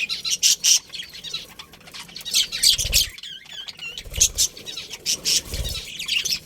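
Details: Chirping from a breeding pair of budgerigars in a colony: rapid, buzzy, high chatter in clustered bursts, with short warbled twitters between them and soft low thumps now and then.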